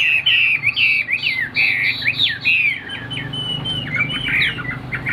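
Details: Chinese hwamei of the tam hoàng kind, kept caged and called a fine singer, sings quick whistled swoops and chattering slurs in fast succession, with a faint low hum beneath.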